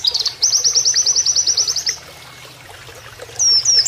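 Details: Oriental white-eye in canary-like 'nembak kenarian' style used as a training master: a high, rapid run of about fifteen identical chipping notes lasting 1.5 seconds, a pause, then sweeping whistled notes, over a faint low hum of running water.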